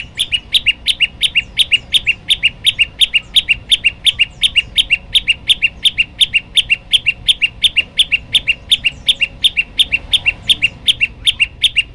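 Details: Olive-backed tailorbird master recording with song variations for training birds. A long, steady, fast series of loud, high, clipped double notes, about three per second, continuing without a break throughout.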